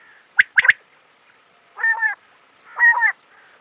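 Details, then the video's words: California quail calling; a few sharp clicking notes, then two harmonic, slightly nasal calls about a second apart, each lasting roughly a third of a second, in an otherwise quiet setting. "Beautiful Quail calling - Quail Sound - The California Quail Sound"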